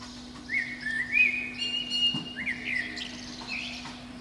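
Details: Atop a pine beneath a window, a Eurasian blackbird sings its spring morning song; a flowing, fluted whistled phrase rising and falling, broken into several notes with high squeaky ends, over a steady low hum.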